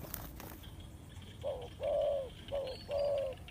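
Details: After a second of rustling noise, a Spotted dove lure bird utters four low, soft coos, alternating shorter and longer notes, with faint hiss behind.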